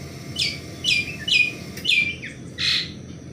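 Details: In the morning, an Asian pied starling utters five or six separate chirping whistles about half a second apart, each a short downward-sliding note, over a soft background hiss.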